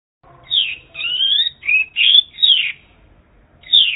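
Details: Mongolian lark in China singing a varied run of warbled, sliding phrases, some rising and some falling, in bursts of about half a second separated by short pauses; faint low rumble underneath.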